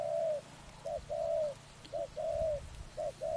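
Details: Spotted dove heard where trapping is under way: a short clipped coo followed by a longer drawn-out coo, repeated three times in a steady rhythm, with faint low background rumble.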